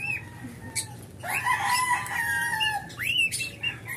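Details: A pet cockatiel that has just begun singing and still needs a little practice sings a warbling string of whistles, with rising and falling notes and a few sharp chirps.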